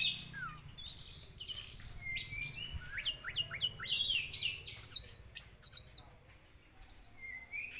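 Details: Orange-headed thrush lure song meant to quickly provoke a thrush into excitement and singing: a rapid, varied run of high whistles, slurred notes and scratchy trills, delivered almost continuously, with faint low hum behind.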